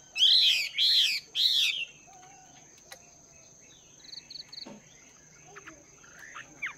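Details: Caged Chinese hwamei, two months in the cage, training its voice in the morning: three loud rich whistled phrases at the start, then faint scattered notes and a steady high whine.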